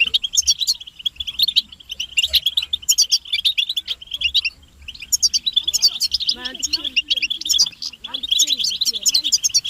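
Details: Group chirping of European goldfinches, mating and readiness calls used to stir silent males into song: dense, rapid high chirps and twitters run almost without pause, with a brief lull near the middle and some lower, wavering notes underneath.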